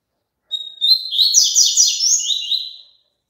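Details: Longer double-collared seedeater song, played so a caged bird sings along: an opening whistle, then over two seconds of fast repeated buzzy chirps and twittering slurs, ending in a falling whistled tail.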